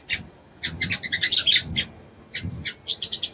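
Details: A female sogon gives high chirps to arouse a male: clustered sharp notes in short bursts separated by pauses, with low background rumble.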